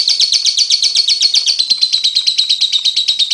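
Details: Lovebird ticking call for teaching young birds to trill quickly, heard as a continuous run of sharp, high pulses, about ten per second, slightly falling in pitch across three seconds.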